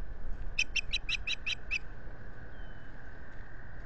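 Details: At a Finger Lakes nest in April 2022, an Osprey gives a fast string of seven bright, piping chirps lasting just over a second, captured by a solar-operated camera with faint wind and a steady hum behind.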